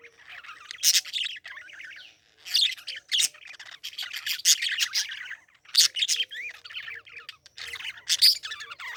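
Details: Lively parakeet chatter: sharp harsh squawks recurring every second or so among softer warbled chirps and small upslurred whistles, ongoing without pause.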